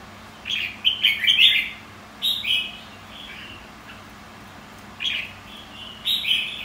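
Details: White-cheeked red-whiskered bulbul performing its contest song: a tumbling series of loud fluty notes at the start, followed by several shorter whistled phrases spaced about one to two seconds apart.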